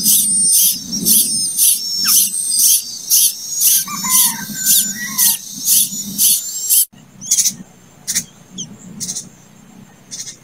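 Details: Late-hatched plaintive cuckoo chick rasping rhythmically, roughly two hissing bursts per second, over a low hum and brief squeaky notes, then quieter spaced rasps after a cut.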